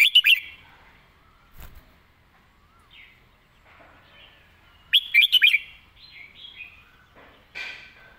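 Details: Red-whiskered bulbul performing its master-song sequence with crisp phrasing: two loud bursts of four or five rapid, liquid whistled notes about five seconds apart, with softer chatter between them and a brief knock.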